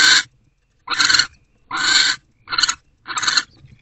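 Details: Owls bonding in a nest box after a night-time food delivery, 3:06 am, 17 February 2024; five loud, rasping hiss bursts, each under half a second, coming about every 0.7 seconds.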